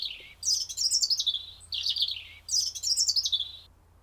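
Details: A European Robin, a common garden visitor that sings early in the morning and late at night, sings high, thin, tumbling phrases of wavering whistles and trills: two long phrases separated by a short pause, with a faint background hum.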